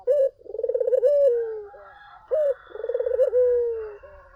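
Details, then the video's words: Collared dove singing loudly, used as a lure to make other doves answer: a clipped coo, then a rippling rolled coo easing into a long, sinking note, twice, over a faint background hum. "SUARA BURUNG PUTER GACOR!"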